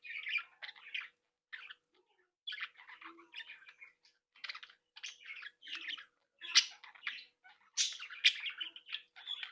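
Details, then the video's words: Captive breeding flock of Australian budgerigars, playful and happy, chattering in bursts: dense warbled, scratchy phrases with brief pauses, some sharper high chirps toward the end. "Sonidos de Mi Cría de periquitos Australianos"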